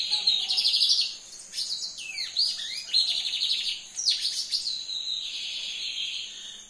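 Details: Brown-plumaged lined seedeater singing energetically: fast high chattering trills, a few sharply descending slurred notes, then a long buzzy steady phrase, over a constant thin high whine.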